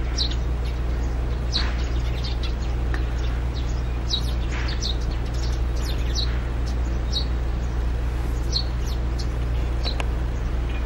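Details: Pair of Eurasian tree sparrows nesting in a long-hung old birdhouse, busily ferrying straw; scattered sharp high chirps in irregular bursts against a constant low droning hum.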